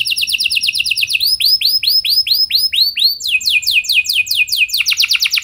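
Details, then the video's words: A canary sings at length to encourage other canaries: a fast buzzy trill, then a run of arching whistled notes about three per second, then faster descending trills, all loud and clear. "Kenari Gacor Lagu Mewah! Buat Kenari Mana Saja Bakalan Langsung Ikut Gacor Panjang"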